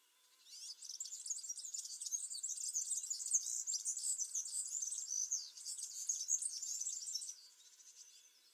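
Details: Serin singing a long, rapid and high-pitched twittering phrase of scratchy, tinkling notes. The phrase lasts about six and a half seconds, then stops, leaving a quiet background.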